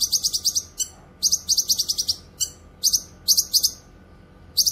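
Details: Cucak kinoy, the grey-cheeked bulbul, singing for training and luring: rapid bursts of high, sharp, stuttering notes in quick clusters, separated by short pauses.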